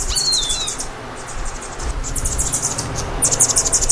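Hummingbird giving rapid, very high, thin chittering bursts, about four a second, with one brief falling squeak near the start over a low background rumble.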